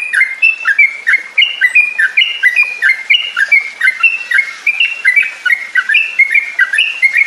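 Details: Yellow-vented bulbul (trucukan) lure song to get silent caged birds singing and ngropel again. Continuous bubbly, gurgling phrases of slurred whistles stepping up and down, delivered without pause.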